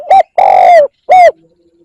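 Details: Spotted dove calling, a recording used to lure wild birds: three deep hollow coos, a short note, a longer drawn-out coo that falls slightly at its end, then another short coo, in a quiet setting with no other sounds.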